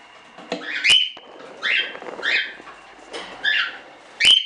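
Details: Hobby-bred standard cockatiels kept as show birds: a series of harsh, rising screeching calls with shrill whistled peaks, five or six in quick irregular succession, indoors.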